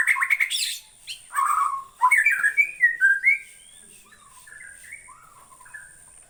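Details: White-rumped shama of Borneo giving bright, fluty whistles and quick chattering notes, phrases slurring downward, loud at first then trailing into softer, distant-sounding whistles; constant thin high hiss behind.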